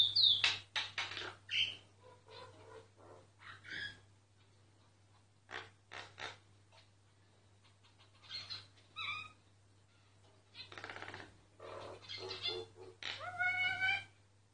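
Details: Myna singing, recorded without its noticing: a varied run of sharp clicks, gurgles, rasps and pure whistled notes, some rising and falling, ending in harmonic whistled phrases over a low steady hum.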